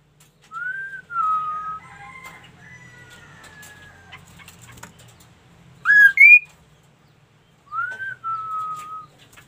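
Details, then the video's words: Ashy tailorbird (kaso kaso) singing: clear whistled notes, some falling and some level, separated by pauses, with a quick pair of rising whistles midway and faint low background hum. "KASO KASO GACOR BRO"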